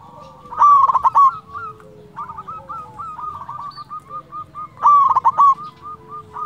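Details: A local zebra dove (perkutut), recorded for use as a lure to stir other doves to answer, gives two loud bursts of rapid, trilling coos with softer staccato notes between them over a low hum.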